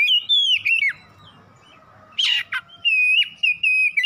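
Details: Home-kept kacer, the oriental magpie-robin, singing a trigger song. Long clear whistles waver downward, a brief harsh burst follows a quiet gap, then a steady pure whistle returns.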